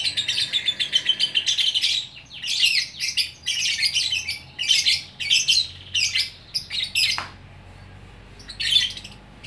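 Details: Lovebird in Bukittinggi, West Sumatra, single fighter bird, gacor orkestra song: squawky, rasping notes repeated quickly at first, then choppy high chatter bursts fading toward the end.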